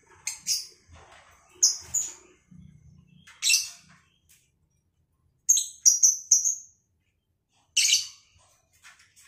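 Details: Lovebirds bred at home and paired up for breeding, uttering scattered piercing chirps and short whistled notes, some in quick runs of three or four, separated by silent gaps.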